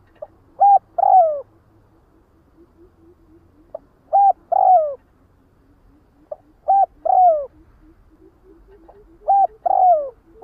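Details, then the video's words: Spotted dove flock call, four steady repeats about every two and a half seconds, each a soft short coo leading into a longer downward croo, with faint low background hum. "Tiếng chim Cu Đất Gọi Bầy"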